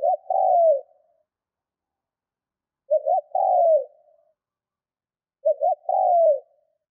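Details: Cooing of a spotted dove used as a decoy for training; three phrases, each two brief clipped notes followed by a drawn-out descending coo, spaced roughly 2.7 seconds apart over silence.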